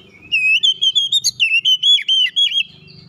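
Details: Oriental magpie-robin producing a continuous tight roll of about ten loud whistled notes, each slurred and dipping, packed closely together over roughly two seconds.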